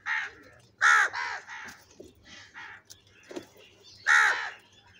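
Crows give loud, harsh caws in short bursts, several overlapping, with quieter rasping calls between them.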